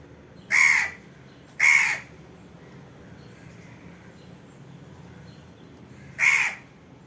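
An Indian crow gives three harsh, raspy caws: two close together, then a pause of about four seconds before the third. A faint low hum sits underneath.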